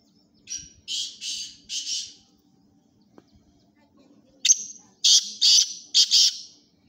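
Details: Kala titar, or black francolin, a chakri tournament bird, calling twice. First three hoarse, evenly spaced notes, then after a pause a sharp note and four loud rasping notes delivered rapidly.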